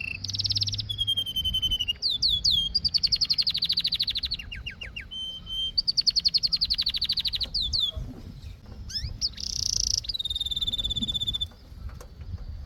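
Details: Singing canary delivering a long continuous song of fast repeated note tours, clear whistles alternating with buzzy rolls and rising slurred notes, phrases changing every second or two; faint low room hum underneath.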